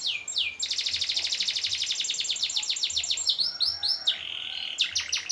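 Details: Canary song with long rolls, suited to contest training: extended rapid rattling trill, sweeping slurred notes, then a few sharp descending whistles.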